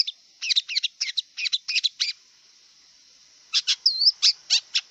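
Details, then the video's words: Wild long-tailed shrike in song, giving clusters of sharp warbled chips, a brief pause, then more high chips with a looping whistled note. "Kicau cendet liar"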